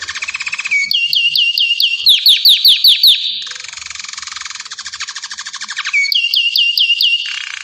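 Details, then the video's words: Song of a Belgian canary: a low trill, then quick repeated whistled upslurs, a rapid buzzy roll, and a return to the whistled repeated notes near the end. "Canto do canário Belga."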